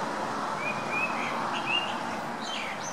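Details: Blackbird on December 17, singing without repeating itself: a string of clear, flat whistles followed by quick rising and falling high notes, against steady noise.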